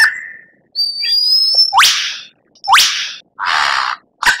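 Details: Captive white-rumped shama in a training recording: a long, thin, level whistle, two sharp rising whip notes, and a rough burst of noise between short phrases.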